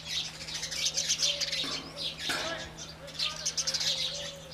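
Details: Indian house sparrows at dawn time, bursts of shrill chirps from several birds with a short pause midway, over a low steady hum.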